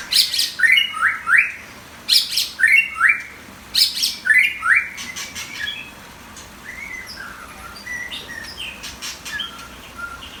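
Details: Competition white-rumped shama giving loud rhythmic phrases of sharp clicks and rising whistles, repeated about every second, then trailing into softer scattered chirps.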